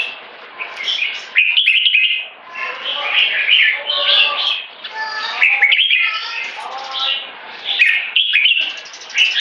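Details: Red-whiskered bulbul singing in 'one stroke' style into 'keke': repeated vigorous phrases of rich whistles and rapid chatter, broken by a few short gaps, continuing strongly to the end.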